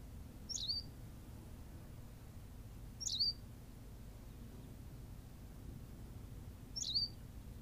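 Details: Berthelot's pipit recorded on La Gomera, Canary Islands, repeating a sharp, high chirp three times at intervals of roughly two and a half to four seconds over quiet low-frequency noise.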